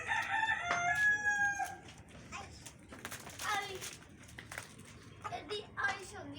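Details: Domestic rooster living with hens gives a loud, strained crow lasting under two seconds, followed by a person speaking and soft clucks from the flock.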